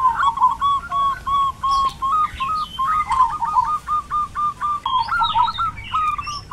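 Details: Actively singing Zebra dove in a peaceful countryside village, Kebumen regency, Central Java, Indonesia: steady series of short, level cooing whistles, about three per second, broken by quick stepped trills, over soft village background.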